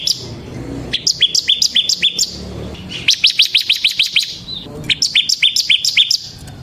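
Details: Semi-type bar-winged prinia in ngebren song for luring kristal prinias and tutoring others: three short bursts of quick, high repeated chips over a faint, noisy background.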